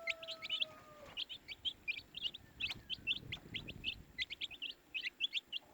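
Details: A cluster of baby chicks peeping, bright short chirps repeated rapidly; a faint fading tone opens the recording and some low rumble sits underneath.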